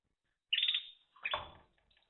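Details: Timbrado canary, recorded 2023, giving a loud rolling trill that tails off, followed by a lower buzzy phrase with a faint rumble beneath and soft notes trailing away.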